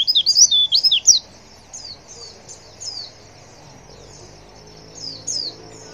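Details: Female white-eye in breeding condition calling to draw a response from males: a rapid burst of high, twittering, sliding notes for about a second, then softer, descending single chirps spaced out over a quiet background.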